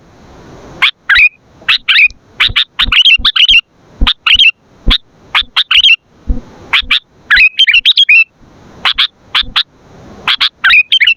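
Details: Lively sooty-headed bulbul song meant to lure and train captive bulbuls: bursts of sharp chirps and bubbly slurred notes in uneven groups, with clicking knocks between phrases and a soft background hiss.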